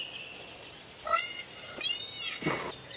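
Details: Peacock of the Indian peafowl giving two loud, harsh, harmonic-rich calls about a second apart, the second slightly longer, followed by a brief rougher burst against faint outdoor noise.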